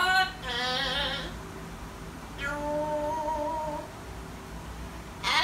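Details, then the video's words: Pet Amazon parrot vocalizing indoors in a small room. A short wavering hum-like phrase is followed by a longer steady tonal note that bends slightly upward, with a brief harsh sound at the end. "Amazon parrot 亚马逊鹦鹉"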